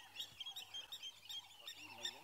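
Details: Water thick-knees alarm-calling at leopards and probably a crocodile at a dam at sunrise, Djuma Game Reserve, 5 February 2017: a chorus of shrill, piping whistles in quick bursts, a man speaking softly underneath.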